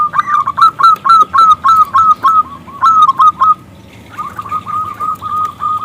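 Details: Local zebra dove calling to draw a male into singing: a loud run of clear rolling coos, a rapid string of short notes for three and a half seconds, then a softer fainter repeat of the same trilled cooing.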